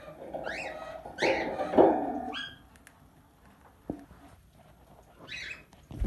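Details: Tamed plum-headed parakeet, a talking pet parrot, giving short rising squawky calls in quick bursts, about four spread over six seconds, with one louder harsher burst near the middle, indoors with low background hum.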